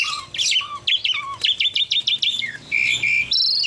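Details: Javan pied starling, a tame bird, in full song: harsh buzzy notes and quick up-down whistles tumble into a rapid series of sharp V-shaped chirps, ending in flat squeaky tones and a high rasp.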